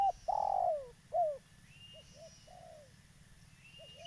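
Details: Local spotted dove, a lively caller used as a lure for trapping, gives a hollow cooing phrase: a long swelling coo then a short note, followed by soft paired coos and a falling coo, with faint thin chirps from other birds.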